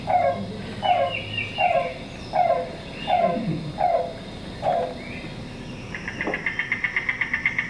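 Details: A secretive Yellow-billed Cuckoo in spring gives seven hollow, somewhat dog-like barking 'kowlp' notes, one about every three-quarters of a second, then a quick rattling series of higher notes.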